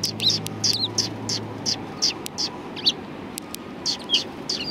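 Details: A flock of sparrows at a Tenmangu shrine in Japan on 1 March 2020 chirps busily, short high notes tumbling together, over a faint low hum.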